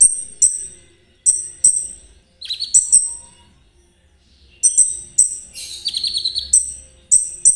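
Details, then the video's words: Konin singing in the trotol style, used to stir other birds into song and as a lure for ninja sunbirds: bright high notes in short bursts with stacked tones and a rattled trill, separated by brief pauses. "Terapi KONIN agar ikut gacor !! Cocok buat pancingan kolibri ninja. suara konin Trotol."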